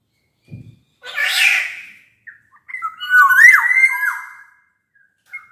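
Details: A black-naped oriole, played as a lure for quiet orioles. A harsh, raspy squawk comes first, then after a pause a loud, mellow, fluty whistled phrase that wavers and drops. A brief low thump occurs early on.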